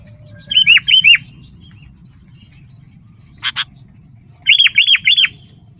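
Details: Lively gacor song of a sooty-headed bulbul, for calling wild birds and song training: two sets of three crisp, down-slurred whistled notes separated by a pause and a single sharp click.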